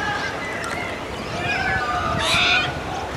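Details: Sulphur-crested cockatoo letting out a single brief, grating screech near the end, loud and harsh over a constant airy background hiss with faint thin tonal calls from other birds.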